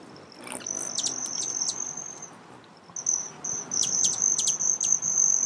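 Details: Broad-tailed hummingbird: a high thin buzzing trill in two stretches separated by a pause, studded with sharp chip notes, over soft background hiss.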